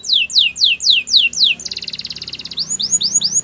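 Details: Training song of a canary: six slow, sharply downslurred whistles, a fast pulsed rattle, then quick upward-curving notes, over a faint low hum.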